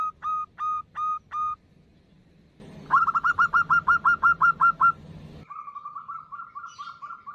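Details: Local female zebra dove calling to a male, a sound used as a lure: four short clear hooting notes, then a rapid run of about twelve similar notes, then a softer rolling series. Abrupt cuts separate the three parts, with low hum underneath.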